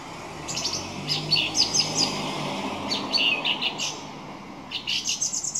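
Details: Song thrush song in quick bursts of high, scratchy, chirping notes, several groups spread across the few seconds with short pauses between.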